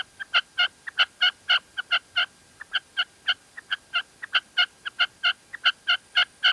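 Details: Strong, rapid string of clipped notes from a female red-legged partridge in La Mancha, Spain, given in bursts with short pauses and quieter grace notes.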